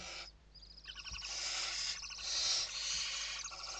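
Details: Western barn owls inside a nest in Spain during evening feeding, 29 November 2023: stuttering clicking notes leading into a sustained, swelling rasping hiss, with light knocks from movement.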